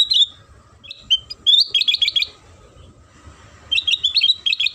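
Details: Lure song of a sooty-headed bulbul, meant to set other bulbuls singing: short whistled chirps, then rapid runs of bubbly repeated notes, with a quiet gap before a final run.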